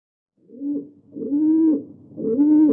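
A pigeon gives three soft, low cooing notes, each a throaty hum lasting about half a second, with brief pauses between.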